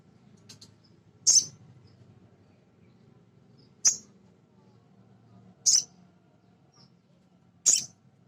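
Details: Male sogon, a small nectar-eating bird, used to stimulate other birds to sing: four sharp, high-pitched chips spaced about two seconds apart over steady low background noise.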